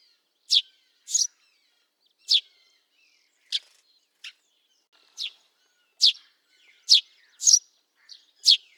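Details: Eurasian tree sparrow (Passer montanus) recorded in the wild giving short, sharp chirps, about a dozen spread irregularly over nine seconds, bright and high, with a few softer notes between.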